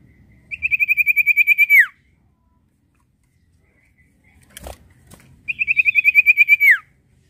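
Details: Prinia, used as a lure so other birds will sing. Two matching trills, each about a dozen fast high pulses ending in a falling slur, sit either side of a soft knock.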